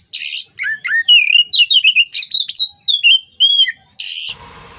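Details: Oriental magpie-robin song used as training material for songbirds: a loud, fast run of varied whistled notes, swooping and slurred, with short buzzy bursts at the start and end and a hiss after.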